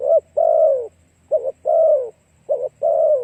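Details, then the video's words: Spotted dove cooing to attract other doves: three quick paired phrases, each a short broken coo leading into a long, mellow, downward-sliding croo. "Cu gáy kích mồi tập bổi hiệu quả nhanh"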